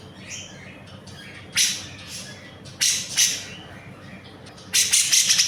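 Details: Cucak jenggot singing for songbird training: long quiet gaps broken by a harsh scratchy burst, a pair of hoarse notes, and a closing quick series of high, rasping chatter.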